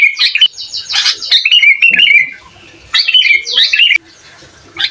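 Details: Energetic sooty-headed bulbul singing to rile up rival bulbuls, recorded as master audio for training: loud, rich chattering warbles and liquid whistled phrases in two long bursts separated by a brief gap.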